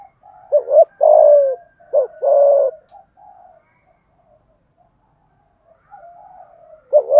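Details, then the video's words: Decoy spotted dove cooing to call wild birds: a burst of short coos and two long throaty notes, a pause with faint soft notes, then another coo at the end. "Tiếng chim cu gáy mồi gáy gọi giọng hợp bổi/ cu gay kich boi nhanh noi gù"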